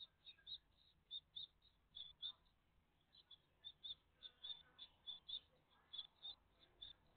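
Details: Nest of a great tit family, live on the morning of 14 June 2023; high, thin chirps repeated roughly once a second, often in doubled pairs, over a soft steady hiss.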